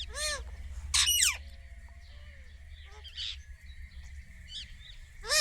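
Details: Indian ringneck parrot giving its natural calls: a few harsh, arching squawks spaced irregularly, with a steady low rumble and hum underneath.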